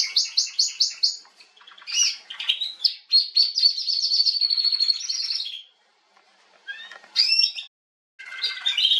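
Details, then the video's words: Female canary singing, 21 January 2022: a crisp rapid trill, then a warbled buzzy run, a short silence and a few scattered high chirps. "Kanarengirlitz Canary girl with a very beautiful voice"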